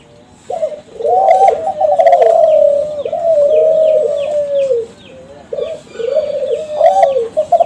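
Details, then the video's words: Lure song of a young caged Kelantan spotted dove bred from champion stock, meant to make other doves respond. Long, smooth, slightly wavering coos run together, then pause, then resume. Soft twittering of other birds sits behind. "LANGSUNG NYAUT DAN IKUT BUNYI | SUARA DERKUKU KELANTAN TRAH JUARA PANCINGAN SUARA GACOR"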